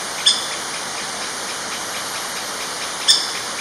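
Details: A young female Orange-backed Woodpecker (Reinwardtipicus validus xanthopygius) calls on a primary jungle trail in Kledang-Sayong Forest Reserve, Ipoh, Perak, Malaysia, on 24 December 2016. It gives two sharp, high, squeaky notes about three seconds apart over a steady hiss.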